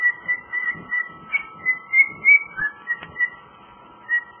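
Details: Pet cockatiel whistling its own rendition of Jingle Bells: a run of clear, short whistled notes, some level and some gently rising, in quick uneven rhythm, with faint room hum underneath.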